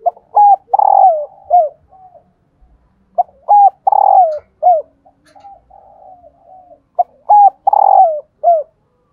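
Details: Female spotted dove calling, a sound used to make males coo: loud hollow coo phrases with a drawn-out middle note, repeated about every three seconds, separated by soft low notes.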